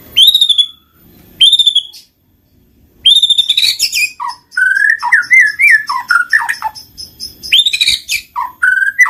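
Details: White-rumped shama song used to trigger singing in quiet birds: two bright rising whistles with pauses, then a long run of varied warbled and slurred whistled phrases.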